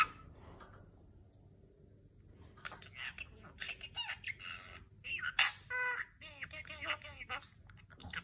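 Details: Budgerigars visiting each other after an autumn vacation chatter in quick, scratchy warbles and short harmonic chirps after a quiet start.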